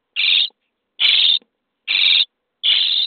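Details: Four drawn-out, harsh, wheezy rasps at steady intervals from common starling nestlings being fed in a nest box on day 23.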